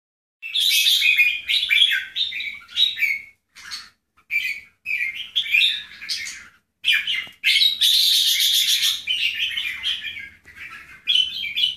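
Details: Bulbul song compared between Keke jambul and Golden Voice jambul types: bright, chattering warbled phrases in bursts of one to two seconds, separated by short pauses, with a dense, buzzy stretch near the middle.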